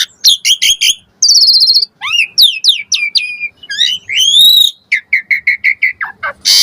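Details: Asian pied starling song played as a lure to make starlings answer, packed with varied fill-in phrases: clear rising and falling whistles, a buzzy sustained note, slurred whistles, then a run of rapid sharp chirps and a harsh burst at the end.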